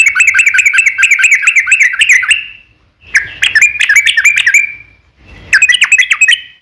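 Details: Yellow-vented bulbul song used as a lure to make other birds answer: rapid bubbly chattering phrases of short bright notes, delivered in three bursts separated by brief pauses.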